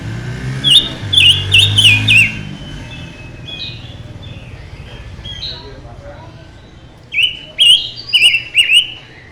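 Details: Silver-eared mesia, described as a mutant bird singing very intensely: two bursts of short, sharp, high whistled phrases separated by a quieter stretch, over a steady low hum of traffic.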